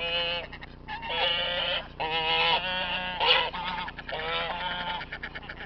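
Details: Several farm geese, hostile to visitors, give harsh, nasal honks almost without pause, overlapping calls with wavering pitch forming a near-continuous clamour, some honks falling at the end.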